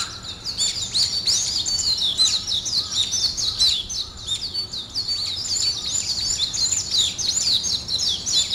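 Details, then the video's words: Birds singing in the morning, a dense chorus of high rapid chirps and twittering notes packed tightly together, steady throughout with a few lower notes beneath. "아침을 깨우는 새소리 2 ,Birds wake up in the morning 2"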